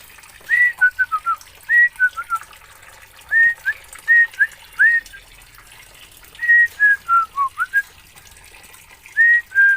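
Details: Oriental magpie-robin originating from Aceh, Indonesia, delivering loud whistled phrases of two to five short notes, some rising, some falling, grouped in bursts separated by brief silences over a quiet background.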